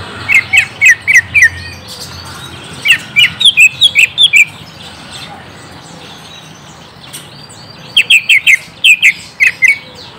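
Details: Greater green leafbird song used to lure a young bird into answering: bursts of sharp, downslurred chirps repeated in quick runs of four to six, with a pause mid-clip before a final run.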